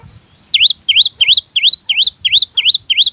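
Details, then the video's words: Cinereous tit song played as a lure to prompt other tits to sing, a loud series of eight clear, V-shaped whistled notes repeated about three times per second. "Pancingan Gelatik Bahan || Seketika Langsung Nyaut cocok untuk pancingan Gelatik malas Bunyi..!!"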